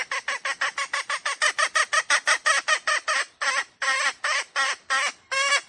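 Red junglefowl gives a fast run of harsh, nasal squawks, about five a second, then slows into longer, drawn-out notes. No other sounds are heard.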